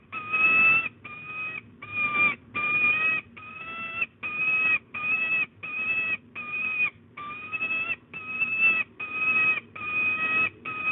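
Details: At De Mortel a female peregrine falcon wails and begs for prey, 8 April 2022, early afternoon. Thirteen or so even, harmonic whining notes come in a long, almost unbroken series, each flat in pitch and separated by brief pauses.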